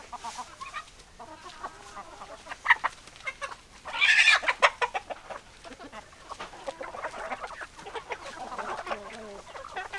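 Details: Chickens cluck in a busy flock, with steady murmured clucks throughout and a loud, harsh burst of squawking around the middle before the chatter settles again.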